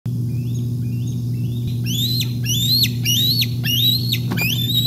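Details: Bald eagles at the Decorah North nest on a day of fish deliveries, 8 May 2021: after faint early notes, loud high whistled chirps that rise then snap downward, repeated about twice a second, over a steady low electrical hum.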